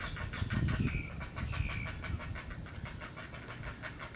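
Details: Great Blue Heron chicks being fed by their mother beg with a fast, harsh ticking chatter, about three or four beats a second, under a steady low rumble of wind or distant traffic.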